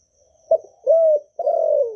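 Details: Short stretch of a Vietnamese spotted dove's call-urge-coo song for training new doves: a clipped opening note followed by two sustained, hollow coos, the last sliding gently downward.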